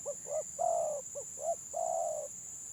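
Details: Spotted dove, a village turtle-dove of the stuttering style, in a song contest: two short rising coos, then a long flat purring coo, repeated twice, over a steady high electronic whine.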